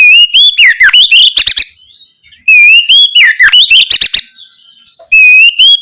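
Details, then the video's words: Oriental magpie-robin singing loudly and fluently as a lure for young birds: rapid, varied phrases of clear whistles, downward slurs and dry clicking notes, a short soft lull, then another rising whistled opening. "Pancingan suara Kacer ngeplong gacor untuk merangsang Kacer bahan agar lekas nyaut"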